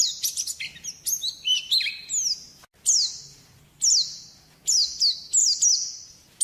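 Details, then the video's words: White-eye used as a master song for training birds: it opens with a jumbled high twitter, then gives separate short phrases, each a sharp downslurred note and a thin buzzy tail, roughly every second. "Masteran burung pleci di jamin cepet buka paruh"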